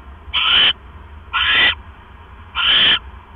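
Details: Owl calling during a prey delivery, a rat brought by the male to the female in the evening of 18 October 2015; three evenly loud, raspy hissing calls, each nearly half a second, spaced about a second apart.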